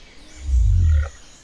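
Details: A male Southern Cassowary living on a disturbed forest edge in northeast Australian rainforest gives one deep, throbbing, rumbling boom of about half a second, a low-frequency long-distance call advertising to females.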